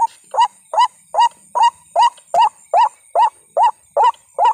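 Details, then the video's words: Night-time calls of a white-breasted waterhen by a corn plot, used for hunting: eleven evenly spaced, upward-bending croaking notes delivered at a steady two-plus per second with no other clear sounds. "BERBURU RUAK RUAK DI SEKITAR KEBUN JAGUNG / BIRD HUNTING TRICK /WHITE BREASTED WATERHEN"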